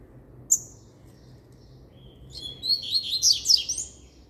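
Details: Double-collared seedeater singing firmly: one sharp high note, a pause with a thin whistle, then a quick, loud run of high chirps and twittering slurred notes lasting about a second and a half.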